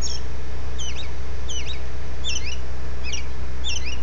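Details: Robin at dawn giving high, curling, slurred whistles, each note sweeping up then down, about four per second, with a faint continuous low hum beneath.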